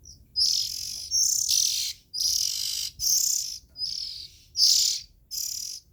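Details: Nestling Oriental magpie-robin calling with seven rasping, hissy high bursts over six seconds, some sharp notes briefly standing out at the start of a burst.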